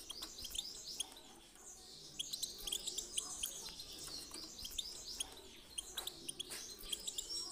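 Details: European goldfinch song played to stir other birds into singing: dense, high twittering and tinkling notes with rapid chirps and short buzzy trills running continuously, possibly several birds together.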